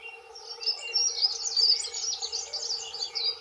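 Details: Territorial song of male dunnocks, two birds singing: a fast, continuous jumble of high, thin warbling notes without pause for over three seconds, with a faint steady low hum beneath.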